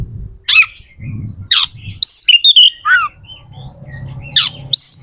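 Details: Magpie-robin (kacer) kept as a songbird, its song meant to stimulate other birds: sharp harsh bursts and short whistled phrases separated by gaps, with a steady low rumbling background.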